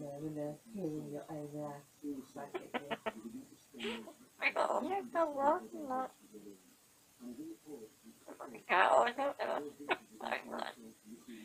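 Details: African grey parrot kept as a pet, babbling at bedtime as it settles down in its cage: irregular bursts of chattering, speech-like syllables and short wavering tones, with quiet pauses between phrases.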